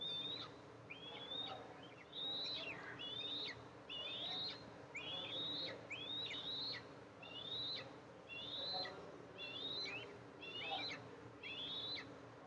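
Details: Eastern imperial eagles, mother arriving at the nest to feed two eaglets on July 14, 2024; a long insistent sequence of about eleven short, high, hooked whistles, roughly one per second.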